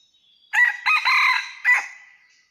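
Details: Wild red junglefowl in rocky mountain country, recorded while being trapped on 17 March 2019: a loud, harsh crow in broken segments, a short opening burst, a longer sustained middle and a clipped final note, with quiet background.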